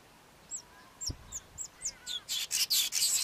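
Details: Male Cape Weaver singing a long, wound-up song: several short downward-slurred squeaky notes, then a run of loud, harsh buzzing bursts.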